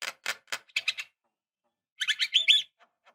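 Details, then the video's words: Javan myna calls used as a lure to set young birds singing: a run of short scratchy clicks and rasps, a pause, then a rapid chattering cluster of harsh squeaky notes. "Suara Khas Jalak Kebo Untuk Pancingan Jalak Kebo Obyokan / Pancingan Jalak Kebo Muda Cepat Gacor"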